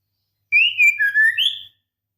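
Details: Female white-rumped shama in breeding condition calling to a male: one clear whistled phrase of three linked notes, rising, dipping lower, then finishing on a higher upslurred whistle.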